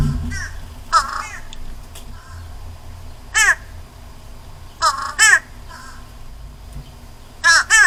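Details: Fish crow at backyard feeders around the start of nesting season giving short, nasal, staccato calls, often doubled, in scattered bursts every second or two, over a low steady hum.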